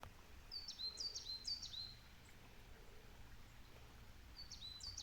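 A coal tit sings a high, thin two-note phrase, repeated three times quickly, then again after a pause, over a low background rumble.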